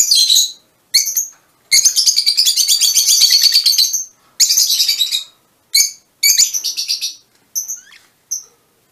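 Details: Fischer's lovebirds of a colour mutation: sharp high chirps alternating with long rapid shrill twittering runs, ending in short squeaky notes.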